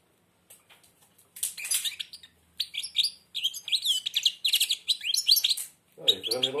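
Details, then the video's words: Blind European goldfinch (chardonneret) with beak nearly closed sings a fast, tinkling run of high twittering notes and liquid trills; quiet human speech before it, a lower voice cutting in near the end. "تغريد_الحسون أعمى سبحان الله يغرد ومنقاره شبه مغلوق chardonneret"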